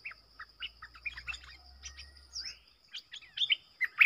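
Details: Lure recording of a wild streaked bulbul flock: scattered sharp chirps and short slurred notes in an irregular sequence, quiet at first and then louder bursts near the end, over a steady background hum.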